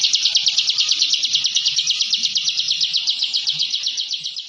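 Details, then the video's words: Ciblek, the Bar-winged prinia, giving dense ngebren song for training contest birds: a high pulsing buzzy trill, about eight strokes per second, fading slightly at the end, with faint low background noise. "Suara Masteran Burung Ciblek Ngebren & Rapat Abis"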